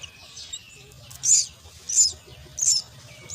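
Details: Common myna chicks being fed at the nest give three short, high, hissing begging bursts spaced about two-thirds of a second apart, with faint earlier squeaks and a low background rumble.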